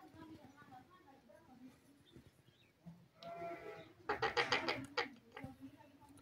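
A rose-ringed parakeet utters two rough, speech-like bursts of mimicked words, the second louder and choppier, over faint background murmur.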